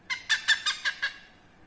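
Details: Hornbill, a rare protected bird, heard behind a house in Indonesia: six loud harsh barking notes in quick succession, evenly spaced, fading slightly toward the end.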